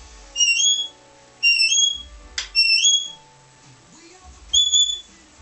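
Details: Australian king parrot giving clear, rising whistled notes in pairs, repeated in bursts about a second apart, over a faint low hum.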